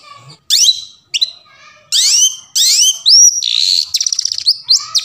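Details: Wild long-tailed shrike singing in forest, recorded as a lure to make silent shrikes sing: a lively varied song of buzzy slurs, rising whistles, dense rattling trills and quick sharp chips, loud and close.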